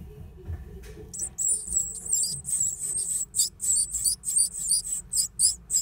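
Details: A great tit nesting in an old stove gives very high, thin, hissing squeaks in quick bursts of about three a second, over a faint low rumble.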